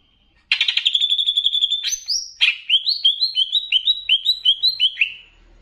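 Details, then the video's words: Banyuwangi greater green leafbird master song, mixed with bebeci for stirring excitement. A buzzy sustained trill opens, followed by a sharp high note and a quick series of rising-falling whistled phrases repeated several times. "MASTERAN CUCAK IJO UNTUK MENAIKAN EMOSI"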